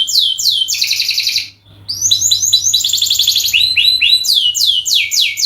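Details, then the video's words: Long canary song used as a lure, mixing descending whistles, a buzzy trill, a short pause, then dense rapid trilling and wide downslurred notes repeated about three per second. "masteran burung kenari gacor panjang untuk pancingan"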